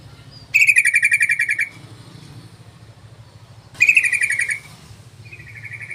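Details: Played as a lure to summon other bulbuls, a yellow-vented bulbul gives two loud, fast rattling bursts about three seconds apart, each a second-long string of harsh pulsed notes, followed by a softer rattle, over a steady low hum.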